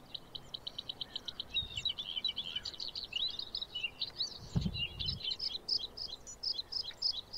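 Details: White-spotted bluethroat, a summer migrant of marshes and wasteland, singing its fluted song; a fast continuous stream of varied high chirps and trills with quick repeated notes, over low background rumble and a brief thump midway.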